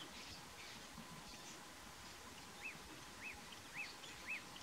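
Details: African fish eagle (Haliaeetus vocifer) gives four short, ringing, arched yelps about half a second apart in the final two seconds, over a steady background hiss.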